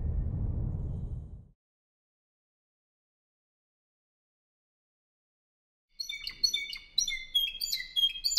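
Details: Spanish Timbrado canary, a 2015 bird from a song club in Albacete, Spain: after a low rumble and a long silence, a short burst of varied high chirps and quick trilled notes closes the recording.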